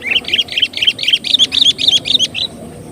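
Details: Lively sooty-headed bulbul song used to lure other birds: a fast, loud string of about a dozen bright, bubbling two-part chirps delivered without pause for two and a half seconds.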